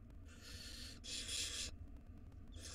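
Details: Wild barn owl nestlings begging as the mother brings food to the nest box; loud continuous harsh screeching hisses in long bursts, nearly filling the recording, over low hum.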